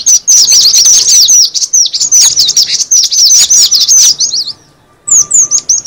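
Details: Shrill cinereous tit chatter used to lure birds: tightly packed down-slurred chirps for over four seconds, a half-second hush, then a few more sharp notes.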